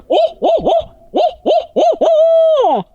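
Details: Merriam's wild turkey on its roost in Colorado at 8:26 pm under a full moon, gobbling in answer to hooting: a fast, throaty string of about seven warbling notes, then a sustained, wavering tone that drops away at the end.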